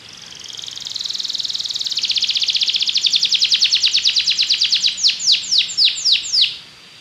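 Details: Belgian canary singing: a fast, even trill that swells in loudness over several seconds, then slows into a series of separate downward-sweeping whistled notes near the end.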